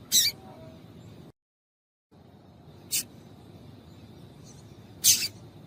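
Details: Double-collared seedeater female calling to stir up males and keep them singing; brief bright high-pitched chips, one near the start and two more later, with a short silent break and faint hum behind.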